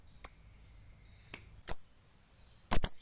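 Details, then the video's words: Fighter lovebird used to provoke rivals: high sharp chip with a thin trailing whistle, then a louder chip and a doubled harsh squawk at the end, irregularly spaced. "NGEKEK TERUS Memancing EMOSI Lawan, Lovebird Fighter Ngekek Panjang SUPER GACOR"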